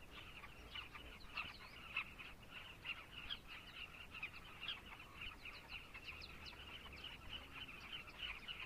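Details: Chorus of carmine bee-eaters in Zambia, a crowded mix of short rolling and twittering calls, some louder notes standing out every second or so above the unbroken colony chatter.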